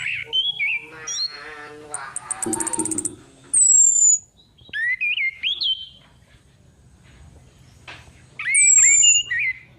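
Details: Female orange-headed thrush calls used as a lure, a caged-bird lure recording: bursts of rapid high ticking, sharp descending high whistles and twisting mid-pitched whistled notes, repeated in several phrases.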